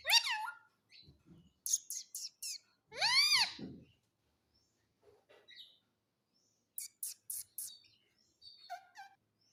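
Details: Talking pet parrot giving loud arched, harmonic calls that swoop up and down, separated by short clicks and scratchy chirps, with quieter bursts of high chatter near the end.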